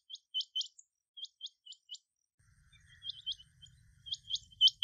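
A rain quail gives sharp, metallic high notes, often doubled, repeated in quick bursts. A faint low rumble sits in the background during the second half.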